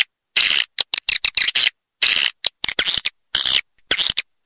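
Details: Edible-nest swiftlets on a lure track meant to attract birds to a swiftlet house: clipped, buzzy chirps in separate bursts, broken by short silences.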